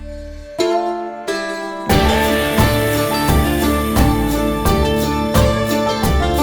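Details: Acoustic guitar music: a few single plucked notes, then steady strumming at an even tempo, with no animal voice heard.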